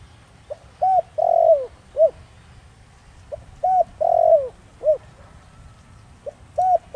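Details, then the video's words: A spotted dove coos in the thổ đồng style, used to lure wild doves: a short note, a longer drawn coo and a falling final note make a phrase repeated about every three seconds over quiet rural background. "Cu gáy Giọng Thổ Đồng kích bổi cực nhạy nhanh nổi/kích cu rừng phản ứng gáy ngay"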